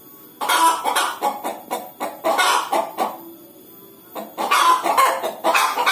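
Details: Clucking hens about to lay an egg start after a brief hush. Rhythmic raspy clucks follow, then a quieter pause, then a renewed burst of loud, rough calls.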